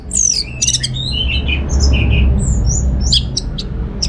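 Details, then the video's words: Orange-headed thrush kept at home in Singaraja, North Bali: short high slurred whistles and twitters, sparse and scattered, partly masked by strong low rumbling background noise. "Receh & Jos Suara ANIS MERAH Berkicau"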